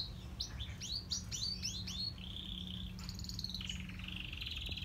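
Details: Grey and crested canaries sing a series of quick rising whistled notes, then a sustained high trill and buzzy rolling phrases, over steady low background noise.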